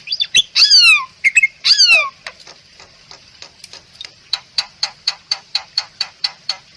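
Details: Masteran song of the Bali myna, a rare protected bird of Bali: two loud downward-slurred whistled phrases with chattering notes, then a long series of short dry ticks about two per second.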